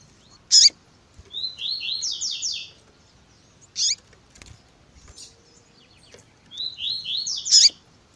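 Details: Double-collared seedeater, tui tui zel zel type, an excited female call meant to stir males into singing: sharp loud high clicks alternate with bursts of four or five fast slurred high chirps, repeated twice over eight seconds.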